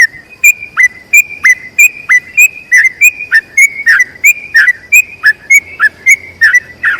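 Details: A sooty-headed bulbul sings its long rolling song, used to teach other bulbuls: evenly paced, clear whistled notes with downward hooks, about three per second, with a quiet low hum in places.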